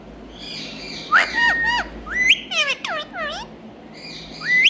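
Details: Green Indian ringneck parakeet giving loud harmonic calls: sharp rising squawks, then a quick run of downslurred notes in the middle, and another upslurred squawk at the end, over a faint low background hum.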